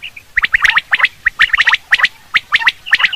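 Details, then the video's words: Common quail calling: short bright notes grouped in quick clusters of two or three, repeated about once a second, with overlapping notes from further callers. "Quail sound for hunting /Batir ki Awaz"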